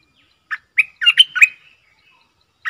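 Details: Caged Streak-eared bulbul used as a decoy for wild birds and for training young birds: a cheerful, gurgling phrase of rapid chattering notes, then a lone note after a short pause.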